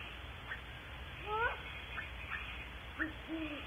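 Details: Great horned owl (Bubo virginianus) at Starr Ranch, California, giving short, wavering, squealy notes that bend up and down, with brief high chirps scattered between them over steady hiss.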